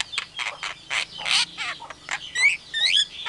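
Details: Javan myna imitating a hen calling chicks, an Asian pied starling and a hungry civet: loud rasping squawks and chatter, ending in rising whistled slurs repeated twice.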